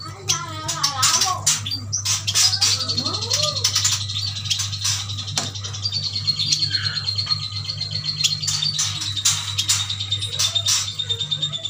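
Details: Caged yuhinas from Kalimantan, males and females bought together as a group, chatter busily: a dense mix of high chirps, sharp clicks and a long thin whistled note held steady, with a low indoor hum underneath.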